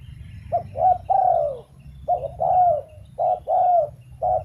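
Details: Spotted dove calling in a run of three phrases, each a short pip and two mellow coos, the last coo trailing down in pitch, with a low rumble in the background.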